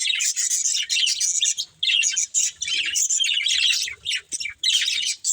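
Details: Budgerigars kept as a breeding pair give dense, continuous high warbling chatter in long bursts broken by brief gaps, a bright scratchy twittering throughout.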